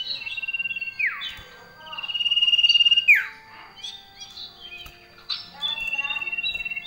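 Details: Male common iora singing a varied song filled with phrases of other birds. Downslurred whistles and a long, sustained high note are followed by a sharp falling slur and scattered short chirps, then another held whistle.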